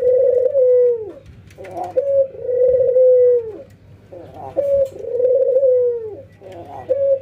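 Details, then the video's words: A training session pairs an albino white ringneck dove with a local one as they nod and laugh. Three long purring coos sink slowly in pitch, separated by short bursts of clipped, scratchy notes. "puter putih albino versus puter lokal ngangguk dan tertawa"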